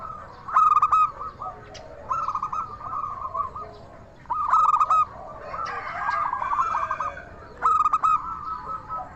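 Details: Zebra dove of local stock singing in the clear 'crystal' style meant to stir other doves to reply: sharp staccato coo bursts at about three-second intervals, each trailing into a rolling, trilled coo, with fainter doves cooing behind.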